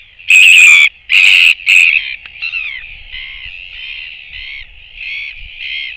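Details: Royal Albatross chick alone on 24 July 2024, with no parents returning, picked up by a nest camera: three loud, harsh, harmonic calls in the first two seconds, then a softer, continuous wavering call band.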